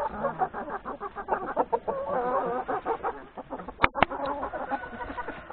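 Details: Hens and three roosters feeding in the yard at breakfast before forest grazing; busy chorus of soft clucks and chatter from many chickens, with two sharp loud clicks or knocks near the middle.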